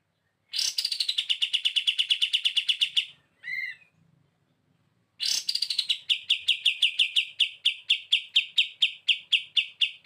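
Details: Kapas tembak used as a training bird, giving long bursts of rapid, evenly repeated sharp chips, each burst starting higher and settling lower, with two buzzy notes in a short pause and near-silent surroundings.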